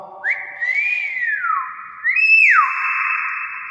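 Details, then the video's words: Common hill myna mimicking human speech: two loud whistled phrases, each jumping up, holding a steady tone, then sliding down in a smooth arch, the second stronger and longer; quiet room otherwise. "BEO NGOMONG WOW VIRAL"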